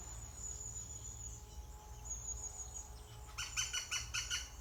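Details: European green woodpecker at its nest on fledging day, 16 June 2020: after quiet, a burst of rapid harsh, rasping notes repeated several times over about a second, over a steady high-pitched insect-like whine and low rumble.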